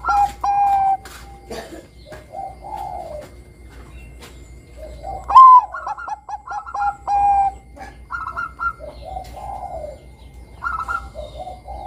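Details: Singing zebra dove of the Bangkok strain, used as a lure to get juvenile doves singing: repeated phrases of soft coos and quick staccato notes, with a louder rising note midway and brief pauses between phrases.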